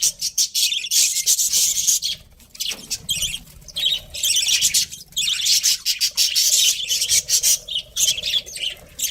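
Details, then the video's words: Budgie breeding pair chirping in rapid, very high, trilling bursts, loud chatter broken by brief pauses around two and a half and five seconds. "cute budgies chirping sounds"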